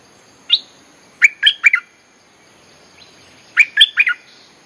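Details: Wild-bird lure song of a bulbul: a lone chirp, then a phrase of three bright slurred notes, repeated about two seconds later, over a light insect hiss.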